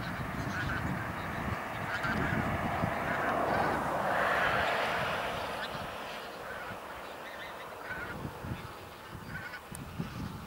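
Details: Chorus of a couple of thousand wild Bean Geese in a field on Texel, Netherlands, 22 November 2014, some taking flight: dense overlapping honking and cackling merges into a continuous babble, with wind rumble and low murmurs underneath.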